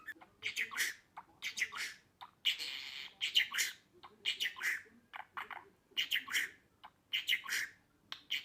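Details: Pet budgerigar warbling: a busy, uneven run of raspy chirps and squeaky chatter, with dense harsh bursts and brief gaps throughout.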